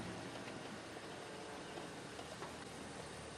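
Continuous broadband rumble of a running vehicle engine, with no animal calls.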